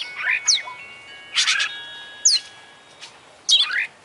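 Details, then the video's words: Oriental magpie-robin (kacer) singing with beak open and tail spread, a full song packed with varied phrases: bright, sharp whistles mixed with scratchy, twittering bursts in quick phrases about a second apart, with faint steady ringing in the background. "Kacer Buka PARUH Buka EKOR Suara GACOR Full isian"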